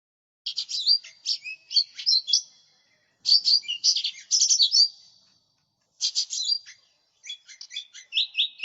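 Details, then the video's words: A lesser green leafbird sings a rich, fast medley of high chirps, whistles and trills in four bursts of one to two seconds with clean silence between; a lure and tutor recording. "Cucak Ijo Mini Gacor, Suara Pikat"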